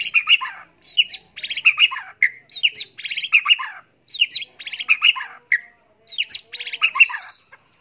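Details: White-rumped shama tutor recording for a competition bird, delivering repeated rapid phrases of buzzy, harsh chattering notes mixed with high twitters, in bursts of about a second separated by short pauses.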